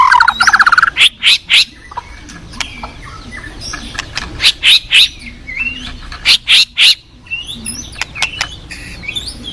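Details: White-rumped shama from the wild forest sings a quick warble, then repeated bursts of rapid clicking chatter in groups of three or four, interspersed with short whistled notes, above a soft river rush.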